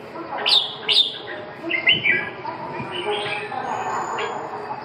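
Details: Red-whiskered bulbul giving sharp bright whistles followed by a short warbling phrase, then softer notes, with steady low background noise throughout.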